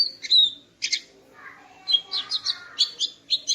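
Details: Morning song from a female greater green leafbird used to arouse the male: a high thin whistle, a sharp chip cluster, soft lower warbling, then quick bright chirps in a busy sequence.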